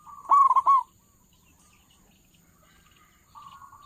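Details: Local zebra dove used to lure doves for trapping: one loud quick burst of about four hooked, ringing coos, then near silence and a faint soft coo at the end.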